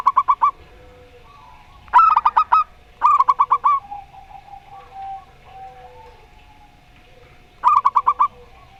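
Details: Local zebra dove song of the Rondo Semoyo style answered by an odd-voiced dove. Short rattling strings of five or six clipped coos come in four bursts, with quieter drawn-out notes in the gap.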